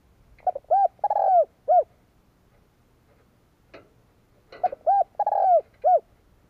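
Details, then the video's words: Spotted dove, cooing to rouse male doves during training; two matching phrases of hollow coos, each built around a longer vibrating note, separated by a quiet gap with a faint tap. "Cu gáy Kích bổi - tập mồi căng lửa hiệu quả / Tiếng chim cu gáy kích bổi nhanh nổi 2023"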